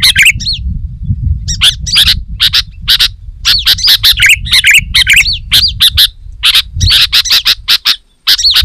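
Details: Sooty-headed bulbul singing to lure wild bulbuls: lively, dense run of short chirping and whistled notes, bright and repeated in quick bursts with brief pauses, over a steady low rumble.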